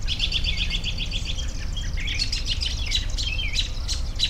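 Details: A short burst of bird twittering: a neat run of evenly spaced high chirps, then a jumble of squeaky notes from several birds, over a low rumble.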